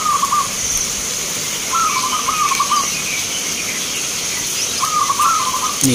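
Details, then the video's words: At a local perkutut song contest in Magelang, Indonesia, a zebra dove gives brief rippling trilled coos, one short, then a longer doubled phrase, then another, against constant high hiss. "Perkutut Lokal gacoran Vs irama"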